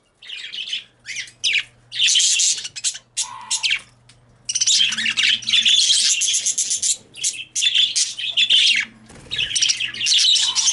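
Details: Caged female budgerigars getting very loud on seeing a male: overlapping harsh chirps and squawking bursts, some long noisy stretches, with a faint low hum underneath in an indoor room.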